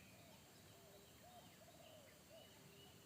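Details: Wild spotted dove in forest, a deep bass single-note 'kuk satu' voice that made a trained decoy dove shy away; three soft, low, arching coos spaced about half a second apart over steady background hiss and a faint high tone.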